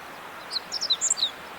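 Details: Meadow bunting on a snowy spring walk in northern Harima, Hyogo, Japan; a quick run of high, thin chips and short twittering notes over about a second, with faint background hiss.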